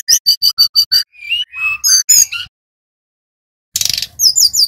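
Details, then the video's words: Brown-chested jungle flycatcher, Bali type, in energetic song used as a lure to prompt other birds to sing: a quick run of six sharp high chips, then slurred whistles and buzzy notes, a pause, and a final burst of rapid warbling. "SUARA SRDC BALI GACOR | Pancingan Burung Tledekan / Sulingan / Sikatan Rimba Dada Coklat Agar Bunyi"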